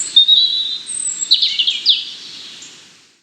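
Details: European robin song: a thin, high whistled note followed by a rapid tumbling run of sweet, jangling notes that fades away at the end.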